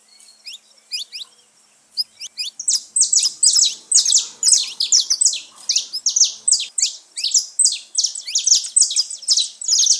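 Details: Saffron finches free in nature: sparse thin chirps at first, then from about two seconds a continuous run of loud, buzzy high notes repeated more than twice a second.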